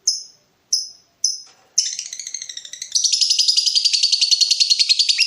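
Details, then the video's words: Lovebird in breeding mood, calling to draw a rival: three sharp high chips, then a fast rattling chatter that builds into a loud, continuous, rapid trill of pulsed notes in the long ngekek style. "BURUNG LOVEBIRD MENCARI LAWAN || LB MANAPUN PASTI NYAUT BUNYI"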